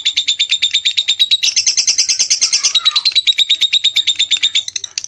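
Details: Lovebird in a loud, rapid, high-pitched chattering trill, pulsing steadily, with a brief denser, shriller passage midway before returning to the even rhythm.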